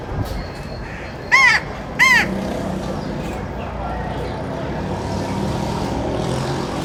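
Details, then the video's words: Crow calling outdoors: two harsh, nasal caws about a second apart, then quiet with a steady low rumble of background noise. "Nature sound - Birds chirping | Sparrow & Crow"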